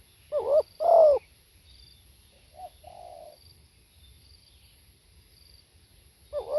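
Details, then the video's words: A live-recorded spotted dove gives one paired coo, short then long and falling, followed by a quiet clipped note and a soft low drawl, with another phrase starting at the end. "เสียงนกเขาใหญ่ สด | suara tekukur"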